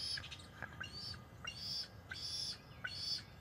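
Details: Bald eagle at a nest on May 15, 2024, as prey is brought in: high, thin chirping calls in short bursts, repeated roughly every half second to second, over steady low background rumble.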